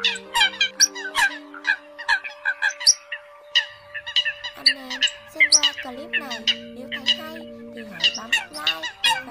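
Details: Eurasian coots, in a lure recording used for netting migratory birds at night, give a rapid stream of loud, nasal, squawking calls that overlap and tumble over one another, over a faint steady electronic hum.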